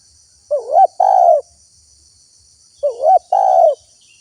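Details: Spotted dove used to call in wild doves, giving two identical phrases about two and a half seconds apart: a wavering rising coo and then a long smooth coo, with a steady insect whine in the background.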